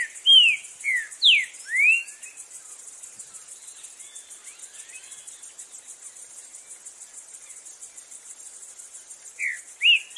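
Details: Wild green-winged saltator, a loud Brazilian songbird, giving a short burst of three or four sharp falling whistles, then a long pause filled by a constant insect hum, before a second brief whistled phrase begins at the end.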